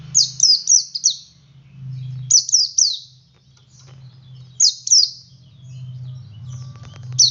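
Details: Ngalas singing from a male Oriental white-eye, used as a lure so other white-eyes join in: rapid runs of three or four high, falling chirps, repeated in phrases, with a faint low hum beneath.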